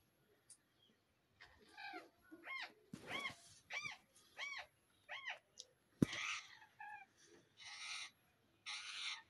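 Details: Parrots in the winter season, protected from the cold, repeat arched, nasal squawks about every half second, followed by harsher rasping bursts and a sharp knock.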